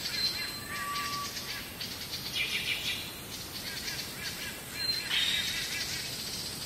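Black bulbuls give a busy stream of high, scratchy chirps and mewing notes that overlap one another, with a few thin whistles above a soft outdoor hiss.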